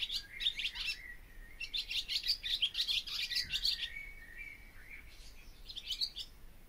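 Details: Barn swallow song, loud and close: fast, bright twittering with grating, chattering notes in a long run, then a softer warble and a short final burst of twitters.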